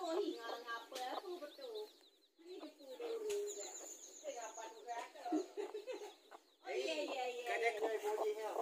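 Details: Mother hens with newly hatched chicks in a garden, meeting to fight over territory: dense bursts of harmonic, falling clucks and squawks in irregular runs, brief quiet gaps, and a thin high whistled note midway.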